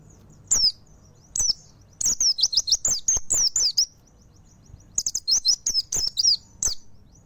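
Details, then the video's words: Mountain white-eye in full song, bursts of high, thin twittering notes swooping down in quick slurred phrases, a pause near the first second and another before five seconds, then a faint steady high whine beneath. "Pleci Montanus Full Nembak"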